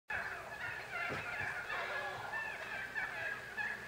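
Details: Wild turkeys waking up in the morning (9 October 2016) chatter together in a steady stream of overlapping clucks, purrs and yelps, with several birds calling at once and no pauses.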